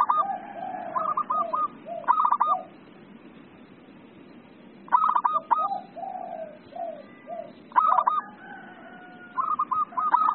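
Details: Zebra dove of local stock singing keenly: clipped, stuttering coo bursts answered by lower, rounded coo notes, with phrases repeating roughly every three seconds and pauses between them.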